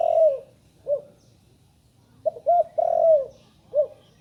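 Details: Low, mellow cooing from a young spotted dove still learning its call. A drawn-out descending coo is followed by a short note, then two brief coos, another long falling coo and a final short coo.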